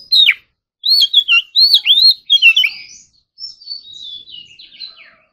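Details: Oriental magpie-robin in morning singing practice, giving loud clear whistled phrases with rising and falling slurred notes and quick chirps, a short pause, then softer thin warbling notes trailing off. No other sounds.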